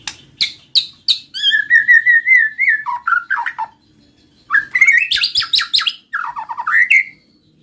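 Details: White-rumped shama song used to prompt other shamas to sing: sharp high notes, then a long whistled trill around mid pitch falling into lower phrases, followed by a bright rapid burst of varied rising notes.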